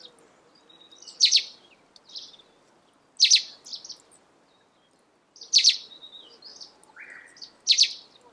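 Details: Russet sparrow singing on a morning at Senjogahara in Oku-Nikko, Japan: short bursts of sharp, high chirps repeated about every two seconds, with soft, lower twittering notes between the bursts.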